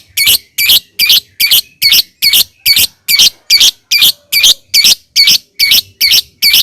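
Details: Harsh, scratchy lovebird chirps repeated evenly at about two per second, from a lure recording meant to make other lovebirds sing.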